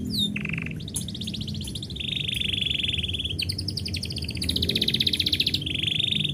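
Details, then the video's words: Singing canary as its owner is about to go out: a chain of dense buzzy rolls and rapid trills shifting pitch from phrase to phrase, with one brief whistled slide at the start. "kenari bunyi ketika yang punya mau pergi"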